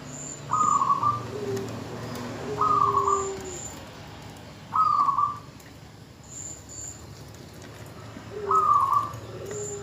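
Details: Zebra dove female calling for the male to prompt him to sing: four brief rolling, pulsed coo phrases spaced about two to four seconds apart, softer low cooing between them, faint high chirps in the background.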